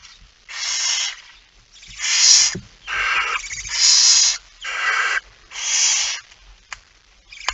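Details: Barn owl, male arriving with a mouse late at night on 17 September 2019; a series of six harsh, breathy hissing screeches, each under a second long, roughly every second and a half.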